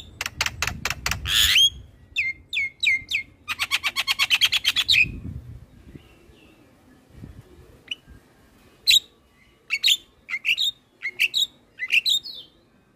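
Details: Black-winged starling master song used to draw out young birds: a quick run of sharp, repeated clicking chirps at the start, then clearly spaced, upslurred whistles and squeaky notes.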